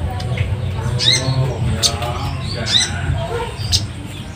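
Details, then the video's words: Captive Javan Tesia (kolin bird), in high breeding condition, calling constantly on a drizzly rainy afternoon: short, sharp whistled notes with quick rising strokes, a phrase about every two seconds, over a man talking close by. "Ini burung kolin di belakang bunyi terus nih."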